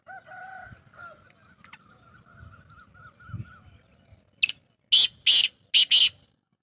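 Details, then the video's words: Sindhi black francolin, locally kala tetar. Faint wavering tonal calls and low rumbling come first, then four loud, grating notes in a rapid phrase near the end. "Sindhi Kala Tetar Awaz"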